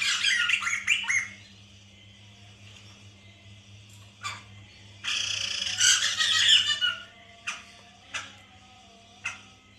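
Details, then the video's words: Captive white-crested laughingthrush lure audio meant to set a bird singing: an opening rush of rapid harsh notes, a later loud raspy cackling spell, and evenly spaced single sharp chips, over a low steady hum. "pancingan Poksay mantel agar bunyi"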